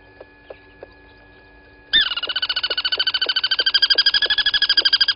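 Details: Crested barbet at Gowrie dam waterhole on Djuma Game Reserve, Sabi Sand, South Africa, picked up by a live waterhole camera at 07:34 on 23 August 2020: after a few soft ticks, a loud, rapid, even trill starts and runs on without a break.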